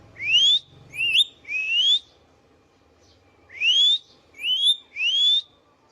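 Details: Captive Indian ringneck parakeet whistling in two groups of three rising, slightly wavering notes separated by a pause of about a second and a half, with low rumble underneath at the start.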